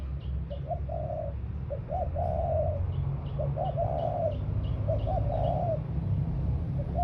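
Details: Spotted dove decoy repeating soft cooing phrases with short pickup notes before longer coos, accompanied by a series of thin high chirps from another bird and a low drone.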